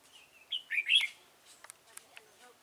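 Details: Red-whiskered bulbul singing where wild bulbuls are being trapped. A short, lively phrase of slurred, bubbling whistles lasts about half a second, followed by soft ticking clicks and quiet surroundings.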